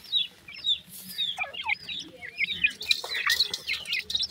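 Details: Kala teetar chicks, black francolins, calling their mother with bright, quick, high chirps, some falling and some hooked, about two per second, growing busier toward the end.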